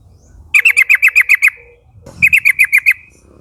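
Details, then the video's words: Young forest Yellow-vented bulbuls (trucukan) in a flock, calling companions to sing along: two rapid chattering runs of about eight and six bright bubbly notes, each ending in a thin trailing tone, with faint low noise. "pancingan suara burung trucukan nguplik gacor memanggil kawan ombyokan muda hutan agar ikut bunyi"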